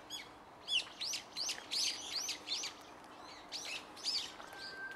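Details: Japanese bush warbler by a tea room in the garden of the Gotoh Museum, Kaminoge, Tokyo: a rapid series of high, sharply falling notes, about a dozen, followed by a short level whistle at the end.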